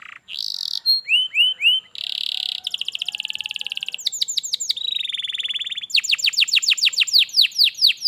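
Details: Canary song played to get a reluctant canary singing: whistled upslurs, buzzy held tones, rapid rattling trills and a closing run of loud descending sweeps.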